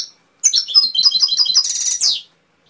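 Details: Canary delivering a varied phrase of quick descending chirps that runs into a dense, fast trill and ends on a bright rising note.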